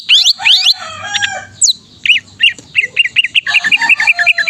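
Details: Vigorous gacor singing of a greater green leafbird, meant to spur lazy caged leafbirds: opening rising sweeps, then a steady string of short clipped whistled notes that quickens toward the end.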